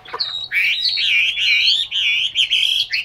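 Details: Caged Chinese hwamei kept in Hanoi, Vietnam, pouring out a continuous rich warble of high, wavering whistled phrases with barely a pause, loud and full throughout.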